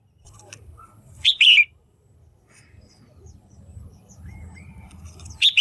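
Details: A female red-whiskered bulbul in a cage calls to stir males or attract a mate: crisp paired whistled notes, repeated after about four seconds, with a steady low rumble and faint chirps between.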